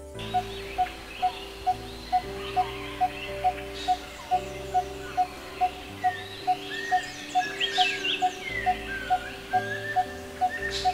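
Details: Coppersmith Barbet, a tree-dwelling bird of tall trees around Kolkata, giving its hollow, metallic 'tuk' notes at about two per second, over soft background music and faint higher chirps of other birds.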